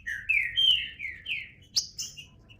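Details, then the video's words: Short burst of green-winged saltator song: four or five smooth whistled phrases stepping up and down, then thinner high notes. "Trinca Ferro (cantando)"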